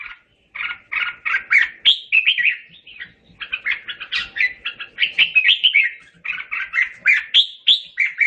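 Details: Red-whiskered bulbul song used to call the flock, made of rapid bursts of buzzy whistled chirps grouped in phrases separated by short gaps.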